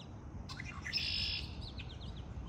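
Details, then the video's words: Birds in spring: a sharp chirp, then one dense high trill lasting about half a second, followed by a run of quick, thin, descending chirps. "آوای آرامش بخش پرندگان در بهار"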